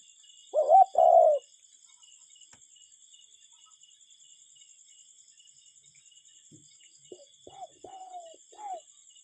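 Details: Cuckoo recorded in nature with no music: one loud close two-note call, a short upswept note and a longer level one, followed after a pause by quieter distant answering notes, over high steady insect noise.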